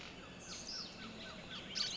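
Sulphur-bellied flycatcher giving faint, short downslurred notes, then a sharp, squeaky high call near the end, over steady background hiss.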